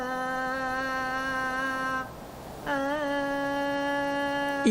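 A steady, low hummed drone holds one pitch, breaks off for half a second, then resumes a touch higher; no animal voice is heard.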